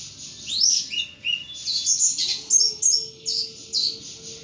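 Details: Pet thrush kept by a bird hobbyist, singing freely and intensely: high, varied whistled phrases that sweep up and down, broken into quick bright notes, over a faint steady hum.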